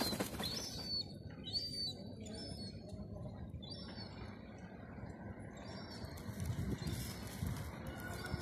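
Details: A Herring gull chick on an empty Terminus Road, Eastbourne, UK, during the third lockdown, refusing bread, gives thin, high, short dropping peeping whistles at uneven intervals over low rumbling wind and handling noise.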